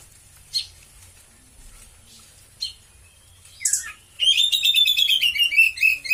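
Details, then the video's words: White-rumped shama, a caged bird kept for song training with a cililin-style song fill, gives a few short sharp chips, then a long fast trill of repeated notes that slowly descends in pitch. "KACER GACOR,ISIAN CILILIN MANTAPJIWA"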